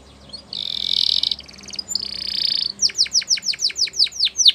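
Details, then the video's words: Canary-type song with two long buzzy trills followed by a sequence of sharp downslurred chips repeated about three times a second, over a steady background hiss and low hum. "Canaries Singing"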